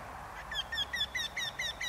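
Eurasian wryneck giving a quick series of seven nasal, slightly ringing 'quee' notes, about five per second, each dropping a little in pitch.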